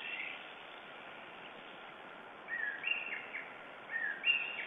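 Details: Morning calls of a lesser spotted eagle in Estonia, 9 June 2011: after a quiet stretch come sharp, slightly nasal yelps with a falling end, delivered in two short bursts over a constant hiss.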